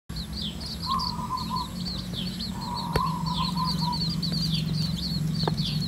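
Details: Red junglefowl hen with her chicks foraging naturally. The chicks give high, thin peeps in quick, irregular runs throughout. Two steady mid-pitched tonal hums sound in the background over a low, constant rumble.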